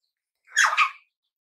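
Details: One rasping, double-pulsed call from a red-billed chough, half a second long, with silence before and after.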